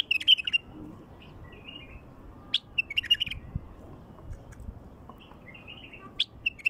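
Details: Song of a wild bulbul, meant to attract wild bulbuls: short bubbly whistled phrases repeated every second or two, with sharp clicky accents between them and low background rumble.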